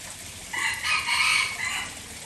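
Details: Aceh junglefowl lure call: one strong crow lasting roughly one and a half seconds, with an abrupt start, a sustained bright middle phrase and a drawn-out ending note, against a steady low hiss.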